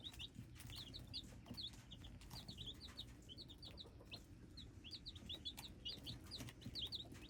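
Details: Soft but continuous peeping from hybrid chicks: high, quick, upturned chirps in overlapping bursts over a faint low murmur.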